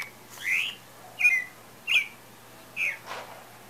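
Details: Pale-breasted thrush singing as breeding season is thought to be approaching: four short, clear whistled phrases, each slightly different, given about every 0.7 seconds over a quiet background.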